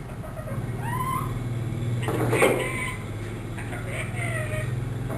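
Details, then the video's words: One-year-old trained ringneck parrot mimicking speech and a cat's meow: slurred, wavering voice-like tones rise and fall in short phrases, with a louder noisy burst in the middle and a strong low hum throughout. "TALKING RINGNECK PARROT SAYS ALLAH HO,MEOW,MITHO BETY"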